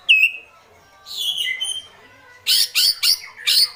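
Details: Agitated white-rumped shama uttering kretekan: a single falling whistle, a softer slurred phrase, then four loud harsh broadband chacks in quick succession.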